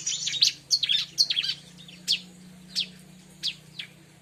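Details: Bar-winged prinia, recorded as a lure for the same species: a rapid cluster of high twittering chirps, then single sharp downward-sweeping notes spaced about every half to one second, over a faint low hum.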